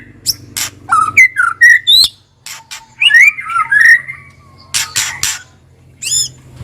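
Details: White-rumped shama song, a kretekan lure: bright slurred whistles rising and falling in short phrases with brief pauses, plus a faint low hum.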